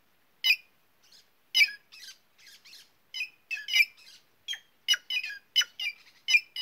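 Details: White-naped jay of the northeastern Brazilian caatinga calling in a rapid run of harsh, raspy squawks, some loud and some softer, tumbling together in uneven bursts about once a second or faster.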